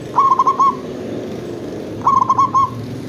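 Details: Zebra dove of local stock used as a lure for other zebra doves: two crisp rolling phrases of quick stuttered coos, about two seconds apart, clear over a low steady rumble.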